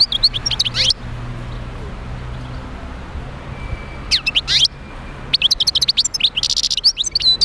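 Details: European goldfinch song played to stimulate other goldfinches to sing: three bursts of fast, high, tinkling twitters with rapid rising and falling notes, separated by short pauses over faint background hiss.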